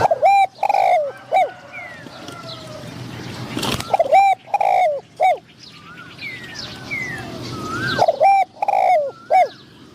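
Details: Decoy spotted dove calling to draw in wild doves, repeating loud, hollow cooing phrases of three to four notes, several times over ten seconds, with faint whistled notes of other birds between phrases.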